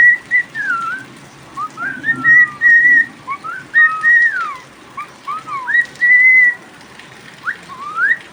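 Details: Cockatiel kept as a pet, singing in the rain: a busy run of bright whistles with level tones, rising and falling slurs and sudden downward swoops, almost without a break, over constant rain noise.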